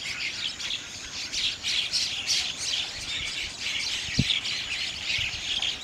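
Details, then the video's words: Bank mynas (Gang Shalik), birds that live in flocks and nest on river banks; noisy squawks and chirps pulse in uneven bursts, with one sharp low knock after four seconds. "Call of Bank Mynahs / Gang Shalik"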